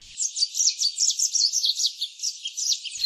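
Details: Yellow-fronted canary (Mozambique serin), introduced to La Réunion around 1750, found near filao trees: a fast, continuous, high-pitched twitter of varied sweet notes, jumbled without pause for three seconds.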